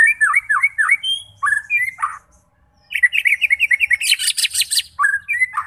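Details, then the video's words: Song of a White-rumped shama, used to lure fighter shamas into singing: repeated falling whistled slurs, a short pause, then a quick series of rising chirps ending in a loud harsh buzzy rattle. "Cocok untuk memancing SEMUA jenis Murai batu FIGHTER, GACOR dan BONGKAR Isian"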